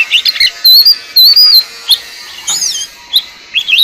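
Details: Oriental magpie-robin contest song: clear, high whistles that slide up and down, with short chirps between them, over a constant hiss.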